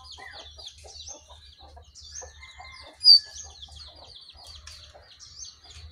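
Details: Wild sooty-headed bulbul confronting a caged bird of its kind; rapid high chirps and clipped twittering notes tumble over each other, with one sharp louder note midway and a faint low hum behind.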